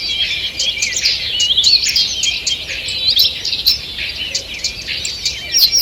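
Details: Morning birdsong in a forest on 2 June 2023: many birds singing at once, a dense overlapping tangle of high chirps, trills and quick whistled notes with no pause throughout.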